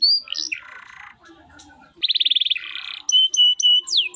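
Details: Canary delivering a 'cengkok mewah' song: a whistled slur, a low buzzy rattle, a quick bright trill, then steady whistled notes and a sharp downward sweep, with short pauses between phrases.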